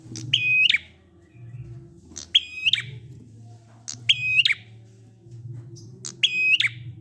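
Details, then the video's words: Prinia song in the "ngalun" style, used in Indonesia to prompt silent prinias to sing along. A sharp burst, then a ringing ladder of bright stacked notes ending in a buzzy flourish, repeated about every two seconds over a low hum. "Prenjak ngalun ampuh 100% buat prenjak macet agar ikut bunyi"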